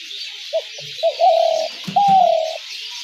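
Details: Spotted dove calling as a trap lure, a pair of brief introductory notes leading into two drawn-out vibrating coos, the last beginning higher and falling; a faint low thud near the end, constant hiss behind.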